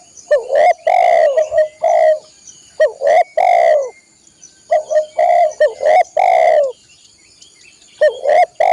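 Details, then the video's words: Spotted dove, for training caged songbirds, cooing in repeated phrases: quick short notes build into a long hoarse coo. Three or four phrases run back to back over a constant high-pitched hum. "masteran burung tekukur/derkuku"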